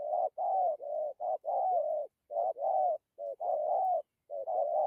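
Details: Spotted dove with good cooing in the "dặm kèm gù" style: mellow, low, throaty coos in a dense, almost unbroken run of short two-part phrases separated by brief gaps.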